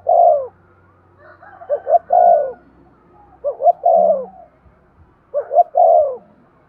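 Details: Spotted dove cooing, played to stimulate breeding: three-part phrases of two short rising notes and a longer falling coo, repeated about every two seconds, with faint low humming below.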